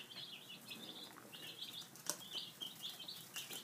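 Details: Baby chicks, five days old, peep while having breakfast; slurred high chirps run together in short bursts, with a sharp tap near the middle.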